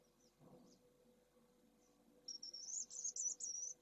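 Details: Live camera at pallid swift nest 2 in Jerez de la Frontera, where two second-clutch chicks have just hatched in hot weather. Quiet at first, then a rapid burst of shrill, high wavering cheeps runs on for over a second.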